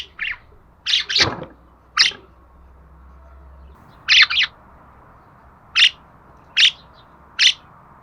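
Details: Budgerigar giving short, high, sharp chirps, singly and in quick pairs, spaced irregularly across eight seconds over a faint low hum.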